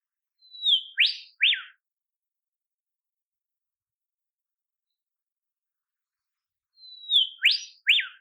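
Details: Olive whistler (Pachycephala olivacea), a shy, secretive forest songbird of southeastern Australia, calls in the wild: a drawn-out high whistle dipping slightly, then two quick sharp whip notes. The phrase comes twice, about six seconds apart, against a quiet background.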